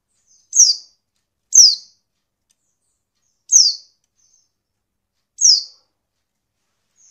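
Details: A female Oriental white-eye calls to draw males into singing; high, squeaky downslurred notes come in an uneven series of five, gaps of one to two seconds, with silence otherwise.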